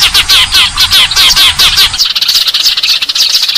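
House sparrows chirp loudly in quick repeated bursts for the first two seconds, then break into dense, overlapping chatter, high and bright, with little else heard.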